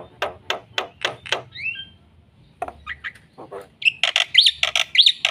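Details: Black-winged myna singing hard to prompt reluctant birds: quick rasping chatter, a short whistled rising slur, scratchy notes, then loud buzzy calls laced with bright whistled inflections.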